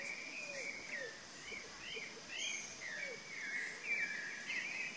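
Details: Chalk-browed mockingbird giving a varied flow of slurred and twisting phrases, moderately loud, with soft lower whistled notes and constant background hiss.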